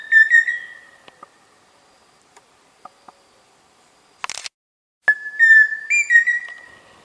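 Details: A pheasant cuckoo, called peixe-frito, gives two whistled phrases, each a level note followed by short stuttering notes that rise a little. Faint clicks and a brief rustling noise fall between them.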